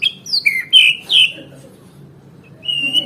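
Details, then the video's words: White-rumped shama song for bringing caged birds back into song: a few high, thin whistled notes in quick succession, a quiet gap, then one sustained high whistle. "Suara Murai Batu Gacor Terapi Burung Macet"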